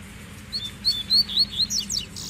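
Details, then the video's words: Rusty-collared seedeater males singing with a female present; quick high whistled slurred notes, rising and falling, in a rapid run of about eight phrases over low steady background hum. "Baderna de Coleiros Cantando e Fêmea Baixando Gala"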